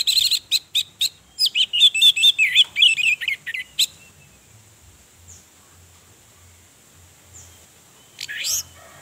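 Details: Orange-headed thrush hen, used to trigger males' mating urge and singing, pours out quick high chirps and warbled whistles for about four seconds, followed by near silence and a final short burst.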